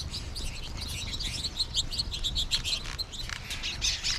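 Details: American goldfinches in a flock, a busy chatter of short bright chirps and twittering notes packed closely together, some clearer slurred notes standing out, with low background rumble throughout.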